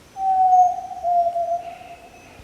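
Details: Yellow-legged tinamou, recorded at Rio Doce State Park, Brazil: a single long, clear, steady whistle, pure and hollow, slightly wavering before fading out, over a quiet background.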